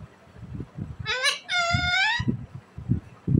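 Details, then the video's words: Happy talking green Indian ringneck parakeet: a brief rising nasal note followed by a longer, even, harmonic drawn-out call, with soft low knocks and thumps around it. "green parrot ki sweet voice mitho mitho in happy"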